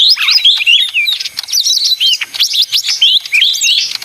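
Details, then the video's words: Mini leafbird (ijo daun) with a rapid noisy song: loud curling whistles and quick chirps tumbling together, high-pitched and nearly continuous. "suara ijo mini (daun)ribut paling ampuh"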